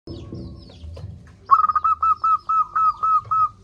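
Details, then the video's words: Local zebra dove, a loud-voiced, vigorously singing bird used as a lure to get lazy doves calling. After a low rumbling start, a rapid series of about ten clipped, even cooing notes follows, steady in pitch and closely spaced. "Perkutut lokal gacor suara besar - Masteran Ampuh Mengatasi perkutut Malas bunyi."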